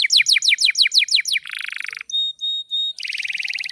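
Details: Canary in full song, used as a lure to get other canaries singing: a fast run of sharp descending chirps, then a buzzy rolling trill, three clear high whistled notes, and another rattling roll.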